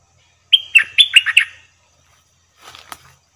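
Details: Bulbul kept in a cage during trapping sings one quick phrase: a clear whistled opening note, then four or five rapid slurred notes that drop and rise, followed by a soft rustle.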